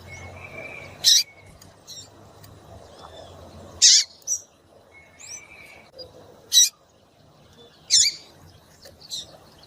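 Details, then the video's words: Calls of a female double-collared seedeater, given to stimulate the male to sing. Four loud, sharp, bright notes about every three seconds, with weaker chirps between them and a faint steady whistle-like tone in the background. "Piado de Fêmea de Coleiro para Esquentar Coleiro tui tui"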